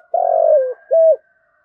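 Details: Spotted dove with a thổ-style voice giving urging and calling coos: one long purring, rolled coo that slides lower at the end, then a single clean level hoot. Quiet background.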